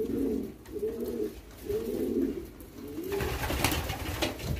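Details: Hand-fed young homing pigeons utter four soft, rounded cooing calls in a row, followed by loud rustling and scraping as the feeding goes on.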